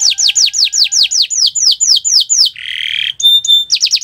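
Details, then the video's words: Canary singing on a Friday morning: fast series of bright descending whistled notes, a short harsh buzzy burst, then the quick sweeping notes resume. "Gacoran Burung Kenari di Jumat pagi"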